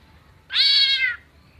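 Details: Greater green leafbird mimicking a cat; a single drawn-out, nasal meow-like note lasting under a second, steady then falling slightly at the end, against a quiet background.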